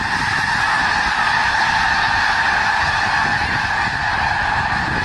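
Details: Thousands of wintering snow geese at Skagit Valley produce a constant, thick chorus of honking calls that blend into one steady din, with a low rumbling undertone throughout.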